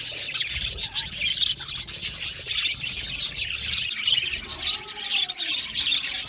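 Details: Australian budgerigars in an aviary colony: constant bright chirping and warbling chatter from many birds, with brief fluttering squeaks.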